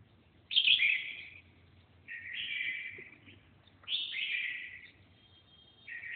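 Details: Red-whiskered bulbul (Pycnonotus jocosus), song.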